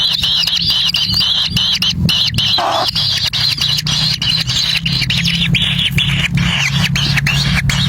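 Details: Nest of wild kingfisher chicks as the parent arrives with a black lizard: shrill, overlapping high squealing continues throughout, partly masked by a strong low droning hum and a brief mid-pitched sound near the middle.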